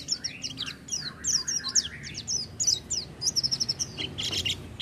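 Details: Oriental white-eye in full "gacor" song: dense, rapid high chatter of descending notes layered over lower, wavering warbled phrases, with a brief burst of quick repeated notes near the end.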